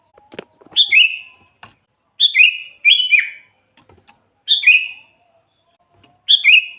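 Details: Kutilang (Sooty-headed bulbul) singing for luring wild birds; a series of lively two-part chirps, each high note dropping to a lower one, repeated five times over several seconds with brief pauses.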